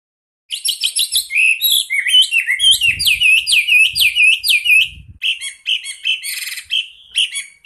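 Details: A Chinese hwamei (Garrulax canorus) in a master-song recording sings a loud, rich, long rolling run of rapid whistled and slurred phrases, including a fast series of repeated rising notes.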